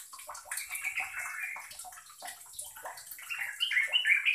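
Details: Yellow-vented bulbul (trucukan) gives quick, bubbly chattering notes, several a second, rising into brighter liquid whistles near the end; played to coax young or lazy bulbuls into singing.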